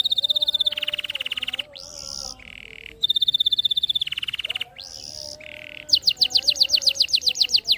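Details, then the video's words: Canary song used to stimulate lazy canaries into singing: long rapid buzzing trills, bright rolling tours and sudden pitch changes, ending in a fast run of sweeping notes. Steady low background tone. "masteran KENARI paud pancingan KENARI malas bunyi"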